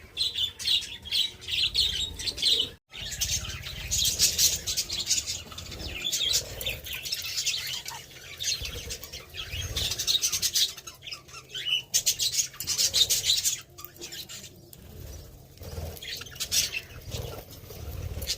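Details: A colony of budgerigars eating mixed soft food and vegetables chatters in a dense, overlapping stream of high chirps and warbles.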